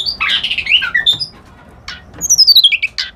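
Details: Reed warbler singing: a burst of harsh, buzzy chattering notes, then a clear whistled slur sliding steeply downward and a run of rapid clipped notes, loud over a quiet background.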